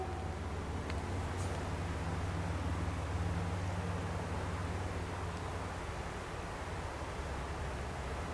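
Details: A steady low engine drone with broad hiss fills the recording outdoors, with no animal voice heard.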